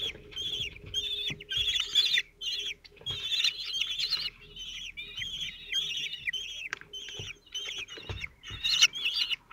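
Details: Four 17-day-old Common Kestrel chicks, calm and well fed, at their nest in Théding, France, 27 June 2023, as the male brings food. Thin, high squealing calls run almost without pause, some bending downward, over a steady faint hum.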